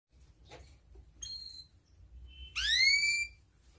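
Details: Canary in breeding condition calling a rival, used as a lure to teach young canaries: a few faint short notes, then one loud clear whistle sweeping upward and levelling off, with low background hum.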